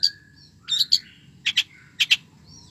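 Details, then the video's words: A long-tailed shrike in full, steady song with a rich repertoire gives a varied song of high whistles and harsh chattering bursts in pairs, about every half second, over a quiet background. "cendet gacor isiannya mewah banget"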